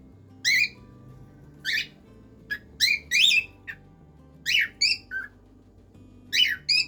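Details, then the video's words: Cockatiel song made of scattered, irregular harmonic chirps and squawky notes, some rising and some slurring downward, spaced by short pauses, with faint music underneath. "canto de cacatúa ninfa"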